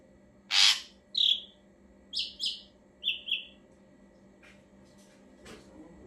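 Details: Ashy drongo singing, offered as a lure for other birds: a harsh scratchy burst, then paired clear whistled notes given in short descending steps, then fainter scratchy sounds.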